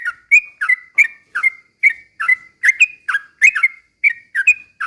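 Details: Sooty-headed bulbul song used to provoke other birds into singing: evenly paced bubbly notes ending in short level whistles, some paired, repeating steadily in a quiet background.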